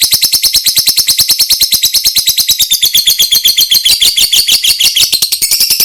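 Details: Lovebird in extended ngekek trilling, played for other lovebirds to learn: very fast, shrill, rattling pulses that sweep slightly up and down in pitch, delivered nonstop.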